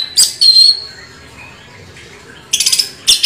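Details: An orange-headed thrush delivers its rolling ngeroll song. A piercing drawn whistle is followed by a near-silent gap, then fast, stuttering bursts of shrill, dense high notes return.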